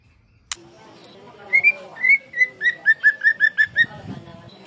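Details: White-rumped shama hen singing: after a sharp click, a steady series of about a dozen short, evenly spaced whistled notes at one pitch, with low murmuring in the background.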